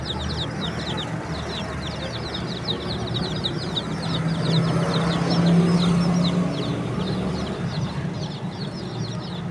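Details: Baby chickens peeping in a continuous high chatter, several chirps a second, partly masked by a swelling low rumble like a passing vehicle.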